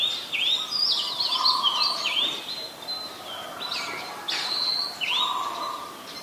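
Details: Oriental magpie-robin, a very common resident, in Ubon Ratchathani, Thailand, on 20 March 2022, recorded with a Nikon P1000: continuous varied whistled phrases that slide up and down, with short sweeping notes and a lower steady warble beneath.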